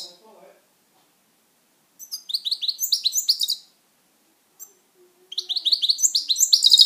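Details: Pet European goldfinch in song, giving phrases of quick, bright twittering notes separated by short pauses, with a faint low sound at the very start.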